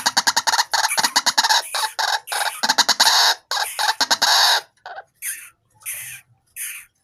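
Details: Tame white-breasted waterhen raised from a chick, calling at any time: loud rapid harsh croaking pulses in long bursts, then a few spaced raspy notes with silence between.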